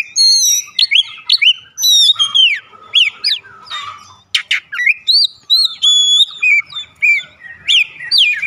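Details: Oriental magpie-robin (kacer) song as a daily lure to trigger singing: fast series of loud whistles, downslurs and held pure tones, with some harsher notes, nearly continuous throughout.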